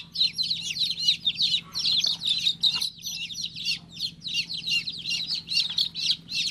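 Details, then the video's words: Young chicken chick with continuous shrill chirps in clustered bursts, a short break near the middle, then more rapid falling peeps. "Cutest baby chick chirping sound"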